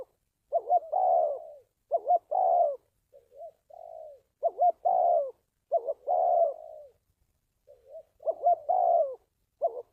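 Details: Spotted dove cooing for decoy training and luring doves to traps: paired quavering notes each followed by a drawn falling coo, interspersed with softer short coos, in a relaxed sequence with irregular pauses.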